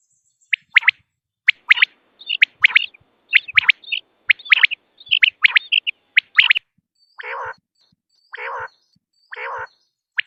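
Common quail giving sharp, liquid clipped notes in quick groups of two or three, repeated about once a second, followed by three harsher rasping bursts.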